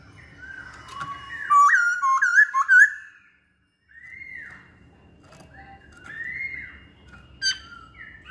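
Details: Masked laughingthrush singing actively: a burst of loud, bouncing whistled notes with bright overtones, a brief pause, then softer arched whistles and a sharp chip, over faint low hum.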